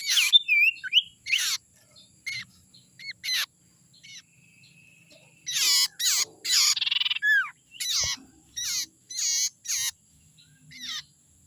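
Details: A young wild Common Iora calling as a bird lure: scattered rasping notes and short whistles, a quiet spell with a faint steady tone, then a rapid string of about ten harsh chattering bursts.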